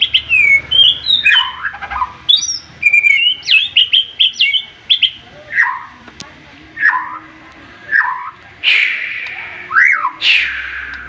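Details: Agitated white-rumped shama in rapid 'tembakan' volleys, its sharp song stirring rivals to answer: a string of clear whistled phrases, short rising and falling slurs and trills, ending in two harsher rasping bursts.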